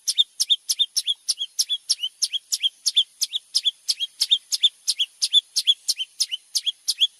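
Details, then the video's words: Long-tailed shrike in lively song, recorded as tutor material for white-rumped shama: a fast, steady series of sharp high chirped notes, about three each second, each a quick downward flick, over a faint constant high hiss. "suara cerndet gacor cocok buat masteran murai batu"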